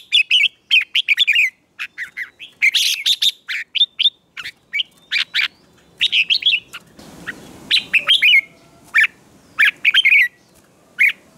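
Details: Morning song of a red-whiskered bulbul trained for contest singing: rapid runs of clear, twisting whistled notes delivered in short clustered phrases with brief gaps, a soft rushing noise briefly rising midway.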